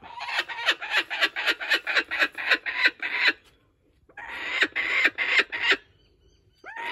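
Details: Laughing kookaburra at a wildlife sanctuary, clinging to a stolen joey's toy and laughing. Uneven bursts of raspy, rattling notes, a pause, a second cackling run, then a rising call begins at the end.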